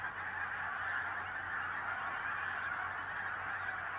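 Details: Continuous chorus of honking from a big gathering of pink-footed geese in Norway, countless voices blending into one even, nasal roar.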